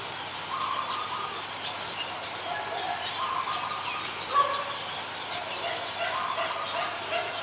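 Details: Adult zebra dove in Ubon Ratchathani, Thailand, recorded 28 December 2020: low rolling coos repeated in short bursts, over a steady background of faint high chirping from other birds.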